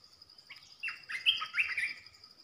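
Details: Olive-winged Bulbul held as a caged decoy for trapping. A soft, slurred, gurgling phrase of linked notes is heard against a hissy background and a high steady whine.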